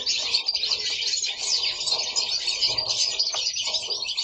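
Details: Several domestic goldfinches sing nonstop indoors: a thick wash of high, silvery twittering with quick chirps and short trilled runs.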